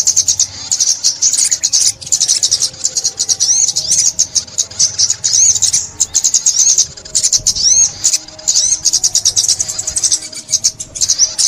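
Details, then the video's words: Sunbird song from Vietnam, 2021, meant for trapping: extended sharp, high chittering delivered in quick pulses, with a few bright rising whistles and short gaps throughout. "Tiếng Chim Ốc Mít , Bẫy Chim Ốc Mít 2021"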